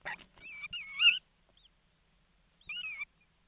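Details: Common starling calls inside a nest box in Estonia, heard through a nest-box camera on the morning of 11 May 2019: a rough rattle, then wavering whistled notes, a gap, and one more slurred whistle falling in pitch.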